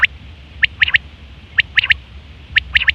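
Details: Quail sounding in September 2023, a call for hunting and mating. It gives three clear repeats of a rapid triplet of bright, rising notes, spaced about a second apart, over a steady low hum.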